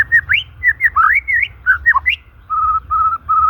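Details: Melodious white-rumped shama song, natural recording for luring silent or stressed shamas; rapid varied slurred whistles rising and dipping, followed by three steady flat whistled notes evenly spaced.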